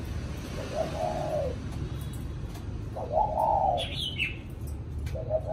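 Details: Spotted dove, a kept cooing bird in Vietnam, giving low hollow coos in short drawn phrases about two seconds apart over steady low rumbling background noise, with a brief higher chirp from another bird.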